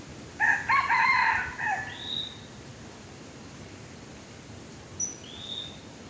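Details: A domestic chicken used as a lure for wild red junglefowl. A loud, harsh, multi-note crow opens the recording, followed by a high, thin whistled note and then quiet background hiss.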